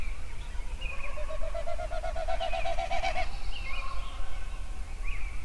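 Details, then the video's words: At sunrise in Yellowstone, a songbird delivers a quick, evenly spaced series of clear repeated notes lasting about two seconds, with other birds chirping higher and a steady low rumble beneath. "Sunrise Songbirds at Yellowstone"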